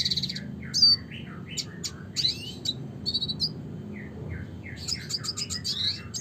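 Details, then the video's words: Red siskin giving its classic song, varied high chirps mixed with lower slurred whistles, ending in a rapid twittering burst, against a quiet low hum. "suara kicauan burung red siskin klasik gacor (spinus cucullatus)"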